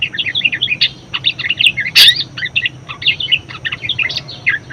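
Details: Very vocal budgerigar singing, its song used to stimulate and tutor other songbirds: rapid, bubbling warble of short chirps and clicks packed closely together, with one sharp louder click midway.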